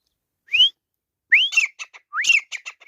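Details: Fighting grey francolin (teetar) gives a rising whistled note. A pause follows, then more rising whistles, each trailed by quick, harsh, clipped notes in a short chattering run.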